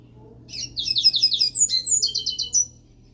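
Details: Pet coleiro singing ahead of a song contest, in a phrase its keeper calls a different song: nearly two seconds of quick, high, twittering buzzy notes that shift to sharper whistles midway, over a faint low hum.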